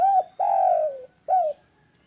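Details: Loud, steady spotted dove coo: a short arched note, then a long level coo that sags gently downward, then a brief falling note to close. The sound is clear and close, with a quiet background.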